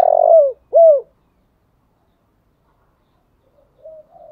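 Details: Spotted dove used as a decoy, calling in the morning: a long buzzy coo curving down and a clear falling coo, then silence and a faint soft coo at the end.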